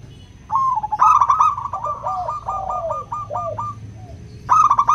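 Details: Local zebra dove with a crystal-voiced song, used as a lure to get reluctant doves singing: a rapid stuttering trill of bubbly coos, a second lower voice gliding down beneath it, then a fresh burst at the end.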